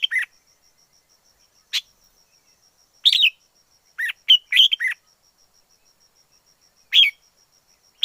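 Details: Wild red-whiskered bulbul song made of crisp, chirpy two- and three-note phrases, with a busy cluster of rapid notes in the middle and quieter spaces around it, over a faint continuous high hum.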